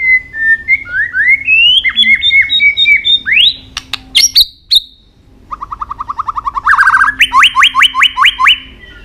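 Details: White-rumped shama stimulating fighting song: varied whistled notes and rising phrases, sharp clicks, then a fast chattering run leading into evenly repeated looping whistles.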